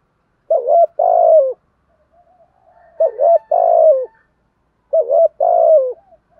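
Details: Decoy spotted dove cooing to provoke a wild rival into cooing back: three low, mellow two-part coo phrases, each a short burst then a longer falling note, spaced about two seconds apart, with no other sounds.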